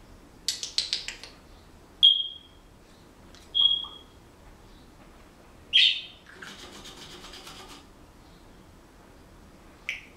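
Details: Pet Senegal parrot whistles indoors: a stuttering series of high squeaks, two clean level whistles a second and a half apart, a sharp chirp, then a long scratchy rasp.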